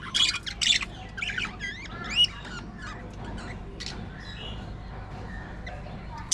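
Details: Budgerigars from an aviary colony: loud squawks at the start, then a run of warbled, up-and-down whistled calls, followed by quieter scattered chirps over low background noise.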